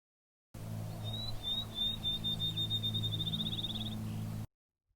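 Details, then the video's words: Field sparrow singing just after 1 pm on May 8 in a quiet early-afternoon recording: clear, high whistled notes on one pitch quickening into a fast trill, over a steady low hum. "it's a field sparrow singing"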